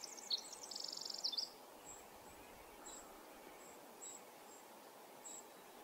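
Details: Pacific wren, a male, in Manning Park forest in July 2020, ends a song with a thin, high, fast, even trill and sharp flourishes, then quiet with only soft, high ticks repeating every half second.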